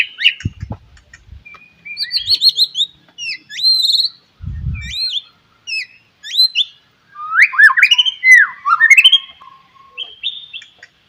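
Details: White-rumped shama singing in the morning, used to stimulate other shamas to sing: varied whistled phrases and sweeping notes between two and eight kilohertz-range pitches, with fast chattering bursts and a low thump near the start and middle.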